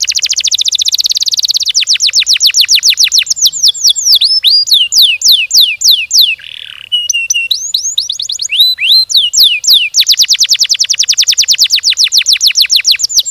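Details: Long, fast canary song packed with closely spaced notes: buzzy rolling trill, long runs of quick descending sweeps, twisting whistled phrases with a brief harsh note, then another rapid sweep series.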